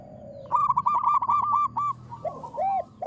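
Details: A local zebra dove, a strong champion lure singer, lets out a quick rattling run of short notes after a low hum, then several rounded, mellow coos.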